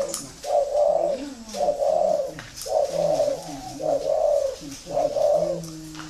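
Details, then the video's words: Spotted dove from a customer in Saigon (Ho Chi Minh City), a bird said to coo a lot; five even, mellow low coo phrases about one per second, each ending with a soft lower tail, faint background hiss. "chim đã gáy nhiều"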